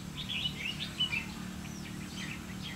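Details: Red-whiskered bulbul at a trapping site, 30 May 2016, pouring out a quick run of liquid, chirping whistles that rise and fall, followed by a few softer notes, with a low background drone throughout.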